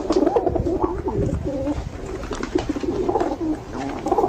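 Pigeons cooing: low, throaty, rolling coos around the same pitch, overlapping and repeated steadily, with several birds calling together.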